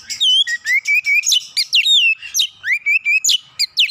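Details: Oriental magpie-robin singing to provoke another magpie-robin: rapid, loud run of sweet whistled notes, some rising, some falling and slurred, delivered in quick succession without pause.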